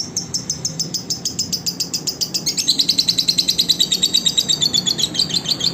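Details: Lovebird song used as a master track for other lovebirds: softer rapid twitters at first, then a louder burst of shrill, fast, buzzy chattering notes continuing to the end.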